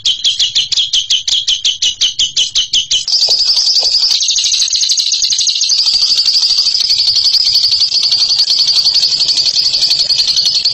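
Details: Ngekek trill from a bird: about three seconds of pulsed chattering bursts, then a seamless, very fast continuous high trill that carries on for the remaining seven seconds.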